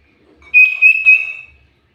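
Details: Common iora whistling in a lure recording: one sustained clear whistle at a steady high pitch, swelling three times in loudness over about a second.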